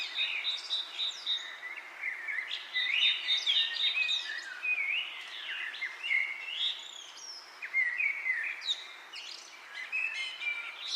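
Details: Wind in leaves with bird chirping: rapid overlapping whistled chirps and slurred notes, rising and falling, forming a busy chorus with brief louder bursts throughout.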